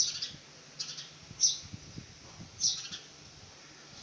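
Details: House sparrow fledgling trying to fly gives scattered high, thin chirps, about one every second, over soft low knocks and rustling handling noise.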